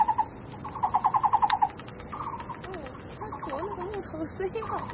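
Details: Taiwan barbet pair courting at a tree-hole nest in a Taipei County ecology park; one loud run of rapid hollow knocks, then fainter knocking bursts overlapped by another bird's lower, warbling calls and insect hiss.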